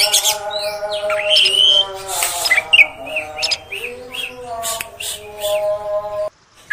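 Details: Female oriental magpie-robin calling to provoke males: softer scattered chirps, slurred whistles and brief harsh bursts over a steady hum, ending in a short silence.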